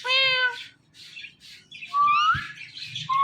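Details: Kept male and female Indian ringneck parrots calling in the morning: one flat harmonic squawk, then softer chatter and a rising whistled note with a click.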